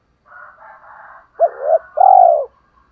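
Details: Morning cooing of a decoy spotted dove calling wild birds. Soft, breathy murmuring comes first, then a quick two-note coo and a long, drawn-out coo that falls at the end.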